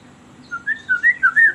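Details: White-rumped shama song played as a lure for caged birds: a short series of clear, slightly rising whistled notes repeated about every fifth of a second, getting louder.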